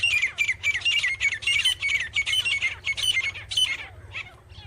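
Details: Grey francolin (teetar) giving a loud, harsh, squawking series of high repeated notes, about two per second and fading toward the end, over a constant low background hum.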